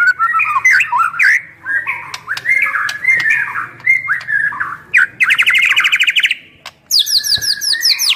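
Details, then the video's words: Song of a white-rumped shama meant to provoke other shamas to answer and sing: rich varied whistles and slurred phrases, then a fast buzzy trill and a burst of high chattering notes. "MURAI BATU GACOR FULL ISIAN TERMEWAH"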